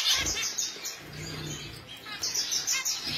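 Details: Finch giving quick, high, thin chirps in two short bursts, separated by a quieter pause, over a faint background hiss.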